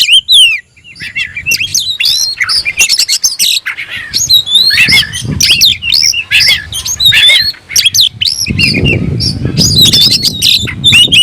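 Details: Caged oriental magpie-robin in full, excited song while challenging a rival: dense stream of varied whistled slurs, trills and harsh notes with little pause, over low rumbling handling noise in the second half.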